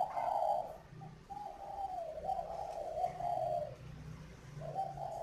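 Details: Caged spotted dove from a northern Vietnam breeding garden in Ba Vì, Hanoi, voicing the "giọng pha" song: a strong opening coo then a long wavering, gently falling coo phrase, repeated, over quiet background hum.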